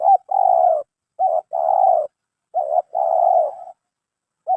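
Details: A spotted dove just trapped and judged fit to be caged for its voice calls clear low coos in a steady cycle. A short note is followed by a drawn-out vibrating one, three times in under five seconds.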